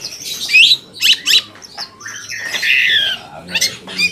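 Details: Long-tailed shrike song used as a lure to provoke other shrikes into answering: harsh, scratchy squawks and buzzy notes mixed with short warbled phrases, in irregular bursts with brief pauses.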